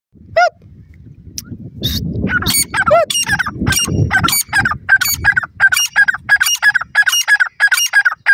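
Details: Female francolin (desi or dakhni teetar) calling with loud, harsh, rhythmic notes repeated about three times a second, with a low rumbling background of handling or voices beneath.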